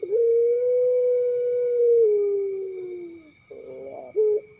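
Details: Young puter pelung dove delivering one long, smooth, sustained coo that drifts lower at its end, then a rapid rattling roll and a short closing coo. Faint continuous hum runs underneath.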